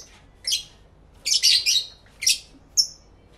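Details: Stereo live recording of lovebirds singing and talking together: a single piercing chirp, then a rapid run of three scratchy high notes, another sharp chirp and a thin whistled note.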